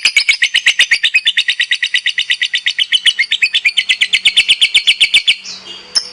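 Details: Competition lovebird singing actively: a rapid, rhythmic ngekek chatter of bright, raspy pulses for over five seconds. It ends in a brief squeak and one sharp tick.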